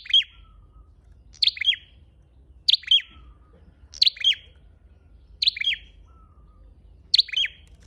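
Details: Six evenly spaced calls of a red-headed flowerpecker used as a lure, each a sharp high tick-tick ending in a falling buzz, repeated about every one and a quarter seconds over a hushed background.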